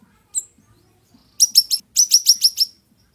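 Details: Ashy tailorbird giving sharp, fiery song for training other birds. One lone thin whistle is followed by three rapid high chirps and then a further run of five or six, all crisp and evenly spaced.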